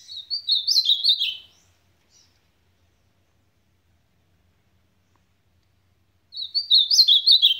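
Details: Ultramarine grosbeak singing in the supapo style: a fast, tumbling phrase of sweet, high whistled notes lasting about a second and a half. A long silence follows before the next rapid phrase begins.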